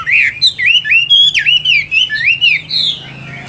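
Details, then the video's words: Chinese hwamei singing in a cage, a loud stream of looping, swooping whistles that rise and drop in rapid succession, some notes harsh-edged, with a faint low hum beneath. "Họa Mi Tam Hoàng Miệng Mỏ Như Máy Khâu, Điện Đóm Căng Hót Hét Bài Bản"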